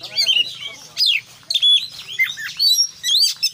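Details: Kacer, the Oriental magpie-robin, singing full-isian style: bursts of sharp descending whistles, buzzy trills and clear high notes, separated by brief gaps. A faint low hum sits underneath.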